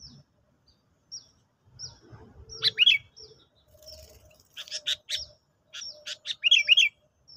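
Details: Sooty-headed bulbul lure song used to attract birds in a trapping test: short, sharp high chirps and bright whistled notes, some in quick doubled bursts, separated by brief silences over a faint low rumble.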